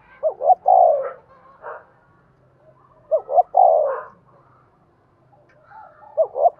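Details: Decoy call of a spotted dove in 'giọng đồng' style aimed at provoking wild 'giọng thổ' doves: hoot-hoot-coo phrases roughly every three seconds with faint softer notes between.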